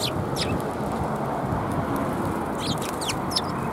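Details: Several sparrows at Tenmangu shrine, 13 December 2021, give brief high twittering chirps, one early and a quick run of them toward the end, against constant low-pitched ambient noise.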